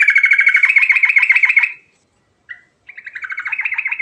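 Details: Sooty-headed bulbul in full song, used to lure silent bulbuls into singing: a rapid run of bright, warbling rolled notes repeated several times a second, a short break with one brief note, then the rolling phrase resumes.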